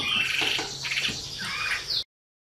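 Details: Wambi song of a drawn-out high whistle, then a quick series of chirps and a curved, down-slurred whistled phrase, ending in a sharp rising note before the sound cuts off. Continuous high hiss in the background.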